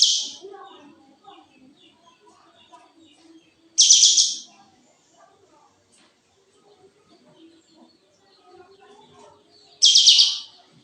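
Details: Kapas tembak bird in breeding condition, tail spread, giving three loud, hissing, rasping bursts under a second long, spaced several seconds apart, with faint softer chatter between them.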